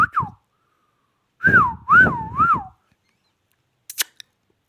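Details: Indian ringneck parakeet, called a tota, kept in Pakistan and said to talk: a short falling whistle, then three linked wavering whistles that rise and fall in a wave, ending with brief high clicks.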